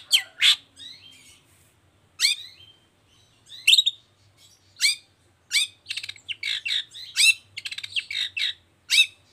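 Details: Energetic 'toet toet' song of a long-tailed shrike, played to prompt other shrikes to sing: loud, sharp downslurred notes spaced about a second apart, then a quickening cluster of chips and stuttered phrases.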